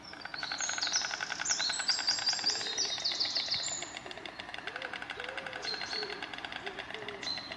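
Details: A pair of white storks on a nest platform on a farm near De Lutte, Twente, Netherlands, clatter their bills in a fast, dry, wooden rattle, often done as greeting, their only sound, with high small-bird chirps over it.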